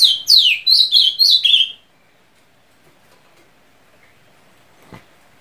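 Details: Ultramarine grosbeak singing a short phrase of loud, sweet whistles that step downward in pitch, lasting under two seconds before silence and a single faint click.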